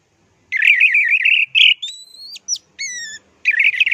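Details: Orange-headed thrush, a caged songbird used for mimicry training, delivering a warbling trilled run, then clear level whistles sliding upward, sharp high notes and another rapid quavering trill, loud and continuous.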